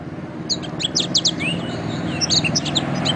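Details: Canary song for songbird training: quick high chirps and short downward-swept notes over a steady low background hum, with a few softer whistles.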